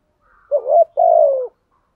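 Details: Single phrase from a spotted dove lure bird: a short wavering hoot rising slightly, then a sustained low coo sliding gently downward, with nothing else audible.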